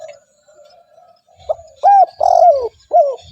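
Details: A spotted dove calls steadily as a lure for wild doves: a soft hum gives way to one clear phrase of a short note, an arched coo, a rolling falling coo and a closing note.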